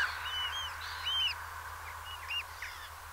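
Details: Eurasian oystercatcher at Peenemünde, its thin arched piping notes repeated irregularly and partly drowned by a steady rushing noise, fading toward the end.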